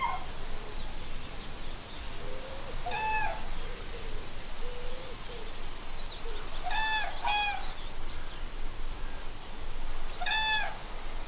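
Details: Common cranes visiting Gallows Bridge Farm in the Upper Ray Meadows reserve, Buckinghamshire, UK, in May 2018, recorded on an iPhone. Loud rasping trumpets with rich overtones come near three seconds, twice around seven, and again near ten. Low hooting, songbirds and wind are also heard.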